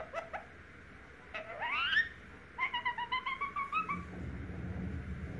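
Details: Pet Indian ringneck parakeet chick learning to talk, saying a word on hearing a knock at the door: a few clicks, a rising, wavering whistled phrase, then a fast run of pulsed syllables ending in quiet rumble.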